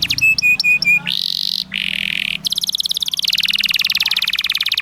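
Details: Canary song used as a master to train young canaries to learn the ngriwik sound: a few clear repeated whistles, then dense buzzy rolls and a long fast rattling trill high in pitch.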